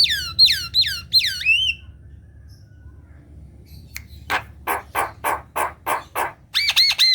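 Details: Caged black-winged myna singing as a lure for lazy birds: three loud descending whistled swoops, a quiet gap, then a row of harsh rasping notes about three per second and a final pair of bright whistled notes.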